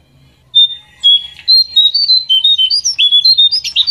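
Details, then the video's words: Pied triller singing as a lure recording meant to make another bird sing: a few drawn-out whistles, then a quickening run of short, varied whistled notes, some rising, some falling. "Suara Pancingan Jongkangan agar Bunyi"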